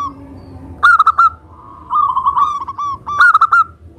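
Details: Local Indonesian zebra dove in vigorous song, used as a lure to draw other doves into singing: a loud phrase of rapid, rolling cooing notes starts near one second, answered by softer trilled coos and another loud burst.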